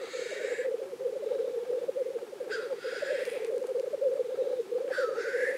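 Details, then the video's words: Black grouse at the lek in Innvik, 2014: a continuous bubbling, rolling cooing runs throughout, with two short hissing, rising whooshes standing out above it. "Orreleik i Innvik 2014"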